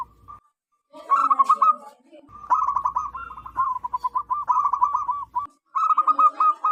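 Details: Zebra dove of local wild stock, loud and persistent, as used for luring wild doves: a rolling burst of quick notes, then a long chain of staccato coos that slows slightly before a final rapid phrase.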